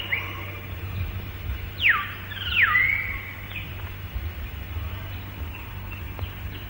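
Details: Hill myna calling loud and clear in the calm of the morning in Malayan rainforest, recorded late 1950s to early 1960s: two loud, clear whistles dropping steeply in pitch a second apart, then a short level whistle, over low hiss and hum.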